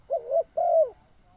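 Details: Two low, hollow coos from a spotted dove used as a decoy to call in wild birds. The second coo is longer and slurs downward at the end.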